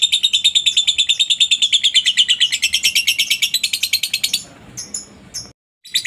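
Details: Lovebird giving long ngekek chatter, recorded as a master for training other lovebirds: rapid, evenly repeated high, sharp notes about seven per second for over four seconds, then a few scattered chirps and quiet.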